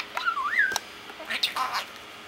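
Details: A male parakeet chatters to himself: a warbling, wavering whistle that rises and dips, followed by a burst of scratchy, squeaky chirps in a quiet room.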